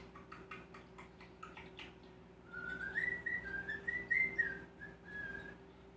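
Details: Male common starling that mimics kisses, laughter, clicks, raspberries, whistles and human phrases; quick dry clicks lead into a clear wavering whistled phrase that rises and falls in small steps for about three seconds.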